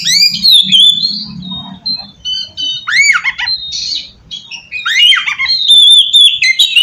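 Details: Oriental magpie-robin lure song, meant to provoke untrained magpie-robins into replying. Loud arching whistles and quick downslurred notes in bursts, a brief quieter gap mid-way, with a low background hum.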